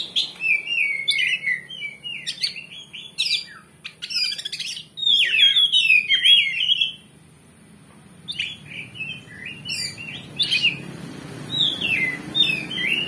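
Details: Oriental magpie-robin in full, varied song, a provoking recording meant to make another kacer reply aggressively: quick bursts of sharp whistles, trills and chattering notes, broken by a short silent gap before resuming.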